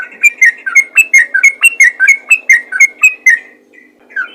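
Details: Sooty-headed bulbul in a fast, active calling bout aimed at luring others of its kind: about fifteen clear whistled notes in quick succession, alternating higher and lower pitches, ending with a lone falling note.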